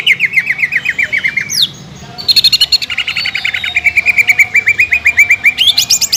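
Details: Greater green leafbird in nonstop 'nekan dan nembak' song used as a lure for contest birds: rapid run of repeated chirped notes, a brief pause, then dense buzzy trills and a long fast chattering series of high notes.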